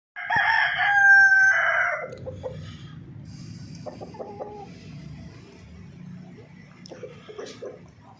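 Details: Aseel hen on a farm keeping fifty desi hens, hatching eggs: a loud, harsh, strained squawk lasting almost two seconds, followed by faint clucks and low background rumble.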